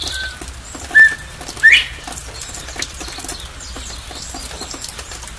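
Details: A Northern Bobwhite calling from behind honeysuckle in the rain gives one clear two-part whistle: a short, level 'bob' then a sharply rising 'white!', over steady rain patter.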